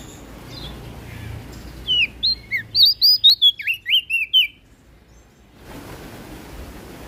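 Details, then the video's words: Prinia from West Nusa Tenggara, 'gacor ngeplong' style song: a rapid series of about eleven clear, high, down-slurred whistles over two and a half seconds, then quiet background. "PRENJAK DAUN NTB Gacor Ngeplong Suara Merdu"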